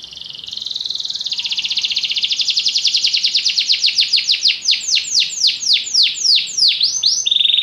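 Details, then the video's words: Canary song opening with a fast buzzy trill that gradually slows into distinct downward-swept whistled notes, then a steady tone at the end; light background noise. "Canary bird | o canário canta muito bem"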